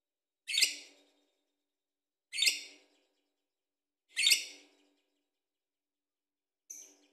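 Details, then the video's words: Vocal lovebird, recorded to prompt other birds to sing: three harsh, scratchy chirps spaced about two seconds apart, followed by a fainter fourth, with silence between. "Lovebird Gacor Bagus buat pancingan"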